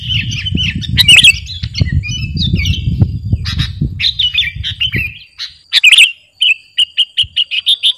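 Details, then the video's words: Energetic sooty-headed bulbul song, meant for training or luring birds: tumbling warbled chatter over low rumble, then clearer short bright notes repeated in quick succession once the background quiets. "Burung KUTILANG GARUDA Gacor..!! cocok buat pikat masteran"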